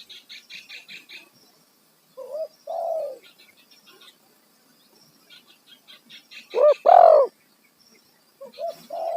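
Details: Loud kuk satu lure call of a spotted dove, meant to make wild doves answer. Low hollow coos arrive in uneven pairs, the strongest a short note then a swelling hoot. A small bird's quick, high chirping series fills the gaps.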